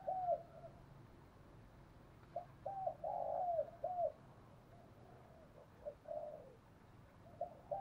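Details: Decoy spotted dove cooing to train young birds to sing: a quiet, distant phrase of stuttering low coos, then a drawn-out hoarse coo and a short final note, repeated faintly over steady background hiss.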